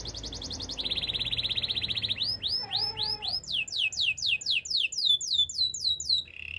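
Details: Spanish Timbrado canary singing for training: a buzzy rolling trill, then a long series of high sweeping descending whistles repeated about four times a second, ending on a short lower trill.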